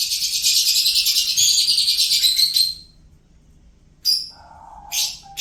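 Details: A lovebird's song: rapid, buzzy high chatter running close to three seconds, then a second of quiet before two sharp short bursts and a low hum.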